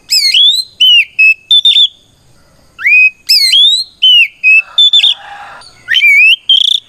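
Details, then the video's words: A 'ngeplong' fighting song of the oriental magpie-robin that summons opponents and goads other birds into replying. Strong upswept whistles and chirps, a short gap, then more whistles mixed with a harsher rasping phrase. "Suara Burung kacer gacor NGEPLONG tarung"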